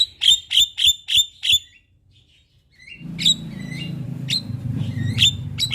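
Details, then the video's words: Javan myna singing in the morning: five sharp ringing chips about every third of a second, a brief silence, then scattered chips over a low rumbling hum. "Jalak kebo gacor Masteran dan pancingan Burung Jalak Pagi Hari - Panggilan Jalak Kebo"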